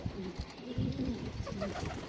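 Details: Stray domestic pigeon that landed at a pigeon loft, cooing nicely like a resident loft bird: short, low, soft cooing phrases in brief bursts, with a man talking nearby.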